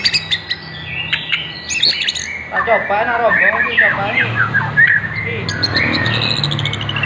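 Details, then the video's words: Murai batu, the White-rumped shama, in a lure song for morning and evening: a dense, varied warble of rising and falling whistles and chatter, with a steady low hum underneath. "Pancingan murai batu untuk pagi dan sore hari"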